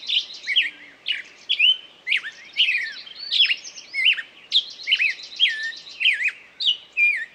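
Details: Bird song made of varied whistled notes that swoop up and down, phrases coming about every half second, over a steady high trill in the background.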